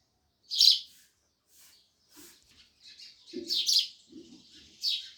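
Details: Sparrows chirping, one loud chirp then a busier run of overlapping chirps and twitters, with low soft fluttering or rustling sounds beneath.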